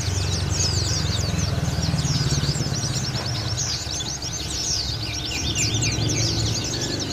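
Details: White-eye of the local Lawu dakun type in full ngalas song: fast, continuous, high-pitched twittering with rapid zigzag chirps. A loud engine or motorcycle drone runs underneath throughout.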